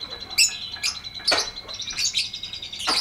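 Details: Lovebird tutor recording in the ngetik ngekek panjang style: sharp, high chirps and short buzzy notes in uneven bursts, with a brief clustered chatter near the end and a faint steady background tone.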